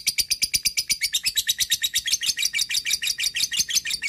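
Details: Long ngekek chatter of a lovebird calling a rival, used as a lure: rapid, unbroken string of shrill, rasping chirps, roughly five per second, steady throughout.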